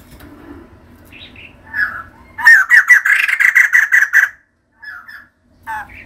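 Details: A female white-crested laughingthrush singing in full voice. Scattered soft notes lead into a loud, fast run of about a dozen harsh repeated cackling notes lasting nearly two seconds, then brief chattering phrases.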